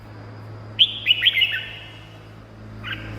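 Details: Red-whiskered bulbul song for rousing caged birds or luring wild birds: one quick phrase of four or five sharp whistled notes, then a faint short call, over a low steady hum.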